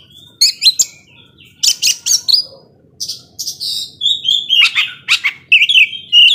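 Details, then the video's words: Oriental magpie-robin, song said to provoke emotion in slower rivals: bursts of harsh, buzzy broadband notes and short rising whistles, separated by brief gaps, ending with a clear sustained whistle. "Kacer gacor ngobra bisa memancing emosi kacer yang lambat emosi"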